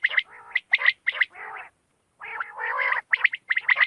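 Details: Quail at night giving rasping, gargled call bursts in quick groups, a longer burbling stretch, a silent gap of about half a second, then more quick notes.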